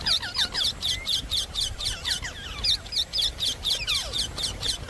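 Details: Indian ringneck parakeet giving loud, shrill, harsh screeches in a steady series of about two calls per second, each sharply bent and piercing, continuing for several seconds over a low background rumble.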